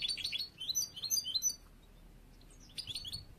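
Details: Late-season young European goldfinch of the bruno amarillo mutation, song still being shaped for competition; quick series of sharp rising chirps and twitters, a second of silence, then a fresh twittering burst.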